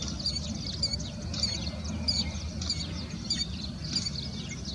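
A Killdeer gives shrill, high piping notes in quick bursts, about one every second, over a steady low rumble of wind or distant traffic.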